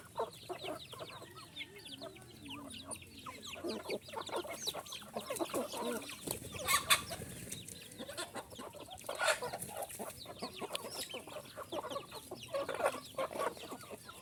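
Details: Little chickens keep up steady overlapping high-pitched cheeping, with a few louder, sharper peeps standing out against the busy flock.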